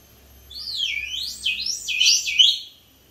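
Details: Pet sun conures: a series of looping whistled notes that sweep up and down in pitch, loudest toward the end and lasting about two seconds, in a quiet room.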